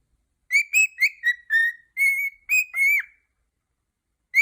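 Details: Male pet cockatiel singing at home with its owner, a burst of about nine clear, slightly buzzy whistled notes, some rising or dipping, packed into under three seconds, then silence and one final note.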